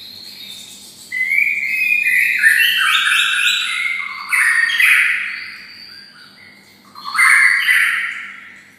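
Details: White-rumped shama kept close to a red-whiskered bulbul, singing in bulbul style: long cascading series of stepped, warbled notes in three phrases separated by short gaps.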